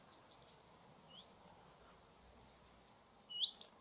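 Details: Common redstart alarm call, captured by chance: quiet groups of short, sharp, very high ticking notes, a faint upward whistle near one second, then a louder, rising 'hweet' whistle near the end, over a thin steady high-pitched background tone.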